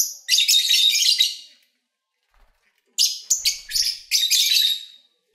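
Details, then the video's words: Lovebirds owned as pets, singing while eating and playing: a scratchy, high squealing chatter of over a second, a silent pause, then a second run of sharp chirps merging into grating screeches. "1 Hour Lovebird Sounds"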